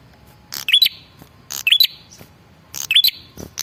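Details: Male red-headed prinia giving a lure call to make other birds reply: three regular phrases, each a harsh buzz followed by a short rising stepped whistle.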